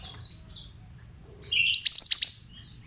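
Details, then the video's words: Male pied bushchat, a mountain type, singing: one bright phrase of about seven quick high notes, each sliding sharply downward, lasting about half a second. A few faint high chirps come before it over a low background hum. "Terapi Suara Burung Mantenan"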